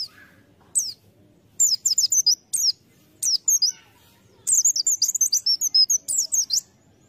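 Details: White-eye, a lure bird, opens with scattered high downslurred chirps, then breaks into a longer, faster twittering run of thin high notes.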